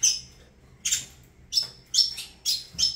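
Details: Avalanche-line Saffron finch giving spaced sharp high chips, each followed by a brief buzzy tail, repeated roughly every half second with quiet gaps between.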